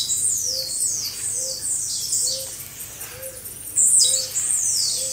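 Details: Blue-black grassquits singing as a group in a recording used for training caged birds. Repeated high, buzzy, descending notes overlap steadily, and one louder burst stands out near the end, above a soft regular low note.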